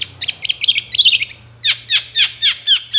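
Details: Singing long-tailed shrike used to lure other shrikes. A rapid burst of scratchy, jumbled notes gives way to evenly spaced, harsh, downward-sweeping chirps, roughly four a second.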